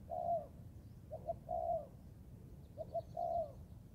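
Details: Coos of a young Thai-type spotted dove practising in the forest: three repeated phrases of brief paired notes, then a sustained soft hooting coo, about every one and a half seconds, low hum behind.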